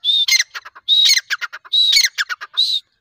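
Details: Grey francolin (teetar), labelled as a female's call, gives loud, harsh repeated phrases: a high drawn note followed by a rapid run of scratchy clucks, about once every 0.8 seconds.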